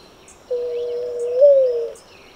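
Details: A Streptopelia turtle dove gives one low, drawn-out coo of about a second and a half, level at first and then stepping briefly higher before fading, with faint high chirps of other birds in the background.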